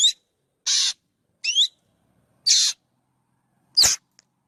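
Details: Black drongo mixing harsh grating notes with clear swooping whistles, five calls spaced roughly a second apart, the last one a sharp, loud broadband snap; nothing else audible.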